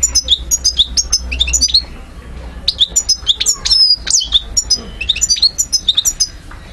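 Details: European goldfinch, subspecies parva, singing in Algiers, Algeria, 2012: dense, rapid twittering of high metallic chirps and trills in near-continuous phrases with only a short lull midway.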